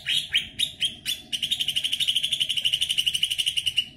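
A greater green leafbird sings loud, high, sharp notes, first a few spaced whistles, then a fast ringing trill of about nine notes a second.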